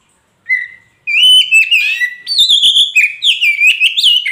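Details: Magpie robin song used to prompt a silent caged bird to sing: a short whistle, then a continuous run of clear, varied whistled notes sliding up and down with quick trills.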